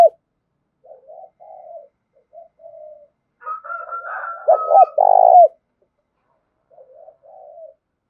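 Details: Spotted dove cooing to excite and lure wild doves. Soft broken coos, then a loud phrase of two short notes and a long vibrating coo. A thin whistle overlaps in the middle, and faint coos follow.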